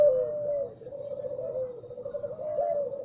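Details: Spotted dove in the morning giving a continuous low, rolling coo that wavers slightly in pitch, over a quiet murmuring background.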